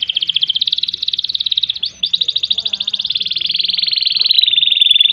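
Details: Energetic canary song in the ngerek and ngerol style: an unbroken, fast, rattling trill with one tiny break, edging slightly higher in pitch toward the end.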